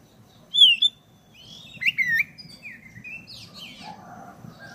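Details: Black-breasted oriental magpie-robin singing as a lure to provoke other birds: a loud wavering whistle, a cluster of slurred notes with clicks, then softer trailing whistles and buzzy notes fading out over a low hum.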